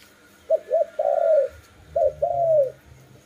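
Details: Dove giving two clear coo phrases, each a couple of quick short notes leading into a longer, smooth, slightly falling coo.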